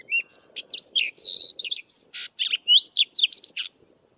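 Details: Sabota Lark singing in the southern Karoo: a rapid, varied string of high whistled notes, buzzy slurs and chirps, melodious and rambling, over a soft low background murmur.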